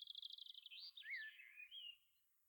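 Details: Eurasian curlew in Ireland giving its haunting song: a rapid bubbling trill that melts into long rising and falling liquid whistles, fading after two seconds.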